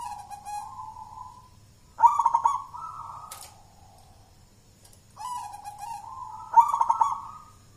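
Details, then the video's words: Champion contest zebra dove, a local wild-born bird from Mojopahit in Java, Indonesia, raised in captivity since young, giving repeated soft cooing phrases: a smooth low coo stepping slightly higher, then a rapid stuttered trill, each phrase about three seconds apart. "suara perkutut lokal mojopahit sang juara lomba gacoran"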